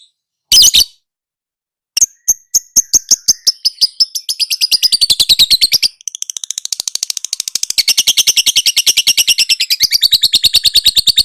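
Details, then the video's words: Lovebird song used for training other lovebirds: after one shrill chirp and a pause, high clicking notes speed up into a dense, continuous, buzzy chatter that runs to the end. "Suara Burung LoveBird~for~ Masteran(biar gacor)"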